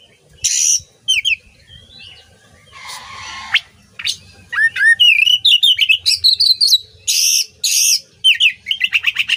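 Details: Oriental magpie-robin song for training songbirds: buzzy harsh bursts interleaved with whistled slurs, quick chips and a closing rapid trill.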